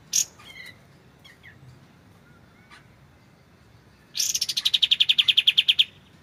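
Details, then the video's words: White-shouldered triller, clear recording with pauses used for training songbirds: a few scattered high chips, a long quiet gap, then a loud fast trill of about sixteen evenly repeated high notes lasting nearly two seconds. "MASTERAN kapas tembak suara jernih"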